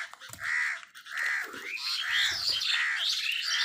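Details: Crows competing with wild birds for food give harsh, buzzy calls in a steady run of drawn-out notes, with higher chirps and squeaks from other birds overlapping the second half.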